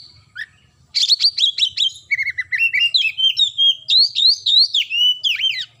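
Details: Oriental magpie-robin singing vigorously: a fast, varied run of sharp whistled notes, chirps and slurred up-and-down phrases in near-continuous bursts after a brief opening note, with a faint low hum underneath.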